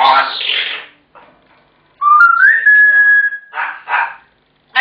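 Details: Pet African grey parrot indoors shouting on its owner's return home, kept up until it is fed: a harsh rasping burst, then a clear whistle rising and holding steady, followed by two short rough squawks.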